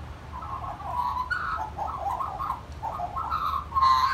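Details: Magpie singing at a family home: bubbling, warbled whistles run together in fast, varied phrases, ending in a louder, brighter slurred note.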